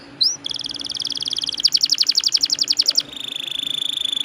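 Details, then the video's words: Canary song used as a lure, described as a long rolling song: a short upslurred note, then a long rapid trill that speeds into louder pulsed notes before shifting to a steady thin buzzing trill, over a low hum. "PANCINGAN KENARI GACOR NGEROLL PANJANG"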